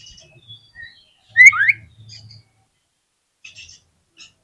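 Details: Oriental magpie-robin lure song, used to make other magpie-robins sing out their full repertoire: a single loud phrase of two steeply sweeping whistled notes, with faint softer twitters before and after and a low hum underneath.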